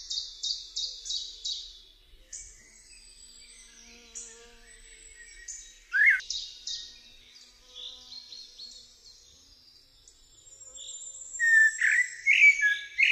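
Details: Eurasian blackbird song in a quiet setting: a rapid series of high repeated chirps, scattered thin twittering, a sudden low fluted note, then a burst of loud warbled, squeaky phrases near the end.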